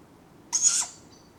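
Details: A Tawny Owl owlet begging for food at dawn in the Padarn Park woodlands in July: a single rasping, breathy screech of about a third of a second, then quiet.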